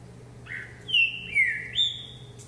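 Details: Green-winged saltator, caged, singing while hopping on its perch: three loud downward-slurred whistles in quick sequence, the final one rising at the start, over a faint hum.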